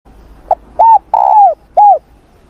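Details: Spotted dove giving its morning coo for voice training: a brief clipped note, an arched coo, a long drawn-out falling coo, then a last arched coo, clear and rhythmic.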